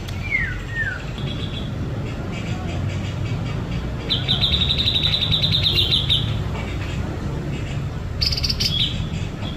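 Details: Sunbathing white-rumped shama: two downslurred whistles open, then a long, fast, high trill lasting about two seconds and a final short burst of sharp notes, with constant low background noise.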